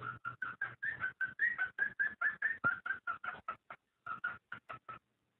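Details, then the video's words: ['Cockatiel mating call, played to stimulate breeding. A rapid series of short, harsh whistled notes, about two or three per second, runs steadily for several seconds, pauses briefly, then resumes in a shorter burst.'] "صوت تزاوج الكوكتيل لتحفيزها"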